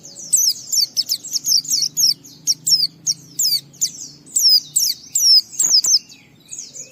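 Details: Energetic white-eye song to coax other white-eyes into singing: a long, rapid series of high, sharp down-slurred whistles, nearly continuous for seven seconds, with a faint low hum.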